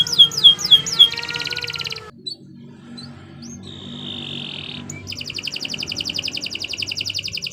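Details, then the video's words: Canary singing a long training song, with downward-sweeping whistles and a buzzy trill, a short pause, a drawn-out whistled note, then a rapid rattling trill; faint low hum in the background. "Kicau Burung Kenari 164 II LUAR BIASA GACOR PANJANG Cocok untuk Masteran"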